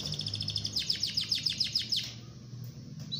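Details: Canary singing in the rolling ngerol style, used as a tutor song for other canaries: a fast train of high, sharp repeated notes, about six per second, that fades out after two seconds over a low background hum.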